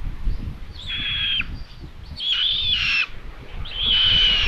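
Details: Common buzzards on a Hungarian nest camera at Tiszalök, 27 May 2022, with the mother bringing a chick as prey. Three strained, high whistled squeals, each lasting most of a second, repeat about once a second over low rumble and rustling.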